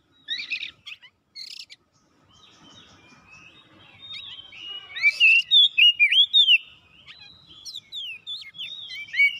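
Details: Oriental magpie-robin singing in a lively, energetic manner as if seeking an opponent; after soft opening notes, a run of loud, sweet whistled phrases with rising and falling slurs and quick chirps, varied and fast.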